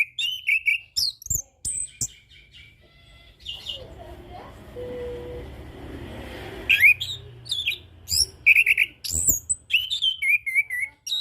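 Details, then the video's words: Orange-headed thrush singing in the ngeplong style: bursts of varied sweet whistles and slurred notes, rising and falling, with a quieter noisy stretch in the middle before rapid phrases resume. "Burung Anis Kembang / Punglor - AK Ngeplong"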